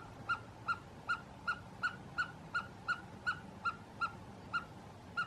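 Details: Himalayan snowcock calling in the Gilgit-Baltistan mountains: a steady run of short, clipped, harmonic notes, about fourteen in five seconds, evenly spaced like measured clucks over a low background rumble.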